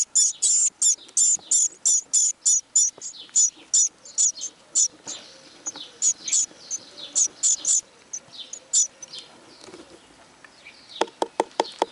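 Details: Nestling great tits with newly opened eyes calling from the nest in chilly Dutch weather: loud, piercing high squeaks repeated in quick bursts, fading to softer scattered calls, then a few sharp tapping clicks at the end.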